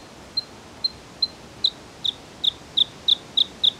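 A Bluethroat repeats a high, sharp single note ten times, about three per second, quickening slightly and growing louder, over a faint outdoor hiss.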